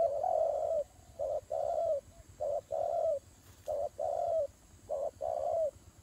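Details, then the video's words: Doves fighting: pairs of hollow coos, a short note followed by a longer one that drops slightly at the end, repeated at fairly regular intervals, with one sharp click. "God dove Fighting"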